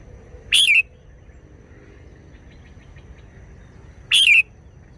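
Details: Red-whiskered bulbul singing short wild-style phrases, two bright, buzzy bursts with a bending tail, spaced about three and a half seconds apart over low steady noise.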